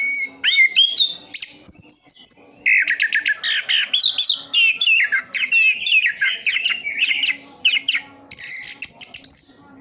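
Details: Continuous song of a caged orange-headed thrush, Sidoarjo, East Java: dense rapid phrases mixing harsh rattling notes, high thin whistles and mimicked chirps, barely pausing.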